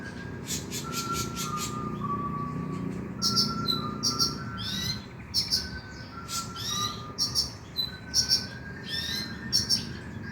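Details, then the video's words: Brown-throated sunbird lure to make a caged bird sing after dark: a fast series of high chirps with short level whistles at first, then louder sharp chirp clusters and twittering bursts, over a soft low hum. "PANCINGAN KONIN AGAR BUNYI MALAM HARI"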